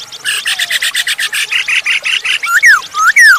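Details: Masked laughingthrush singing as a lure to prompt other birds: a rapid series of harsh, buzzy repeated notes, then three loud descending whistled slurs at the end, over thin high chatter.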